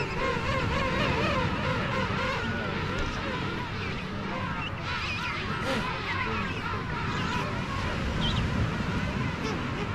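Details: A dense chorus from a colony of king penguins on South Georgia, many overlapping trumpeting, warbling calls rising and falling at once, over a steady low roar of wind or surf.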